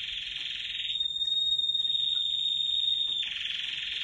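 A Waterslager canary sings a dense, rolling trill, breaks into a long pure whistle held for about two seconds, then returns to the rapid roll.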